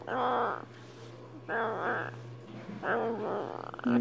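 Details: Young pet Catalina macaw crying at night indoors while its owner is away, three drawn-out, nasal, harmonic wails about half a second each, separated by short pauses, with a steady low electrical hum.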